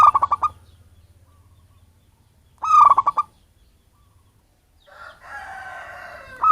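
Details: Local wild zebra dove from its natural habitat, not captive-bred, used as a lure for catching birds: two bursts of quick, staccato cooing notes about three seconds apart, then a broad noisy hiss at the end.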